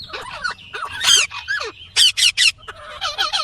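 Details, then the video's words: Indian ringneck parakeet screeching: a tangle of harsh, buzzy notes, then three loud evenly spaced rasping calls, followed by quicker chattering squawks. "Indian Green Ringneck Parrot Natural sound/Voice"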